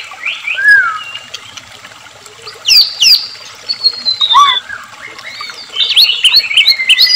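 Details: Scattered white-rumped shama whistles, sharp upward flicks and a closing tumble of notes, meant to stir captive shamas to sing, over a bed of trickling water.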